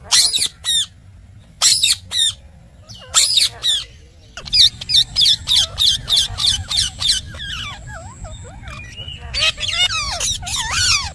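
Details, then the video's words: A pet ringneck parrot, described as talking, gives loud harsh squawks in short bursts, then a run of rapid squeaky notes and warbling, speech-like sounds with wavering pitch. "Smart & Cute Talking Parrot"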